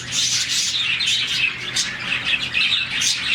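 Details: Budgies, some 40 in one colony, give their happy morning chirping: a lively, unbroken chorus of high tweets and warbling whistles from many birds at once, with a faint hum below.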